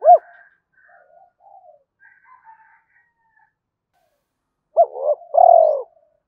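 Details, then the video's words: A spotted dove gives soft, low decoy coos used as a lure call: one strong note, a run of quieter murmured coos, then a closing three-part coo that rises and falls. "tiếng cu gáy mồi gáy gọi"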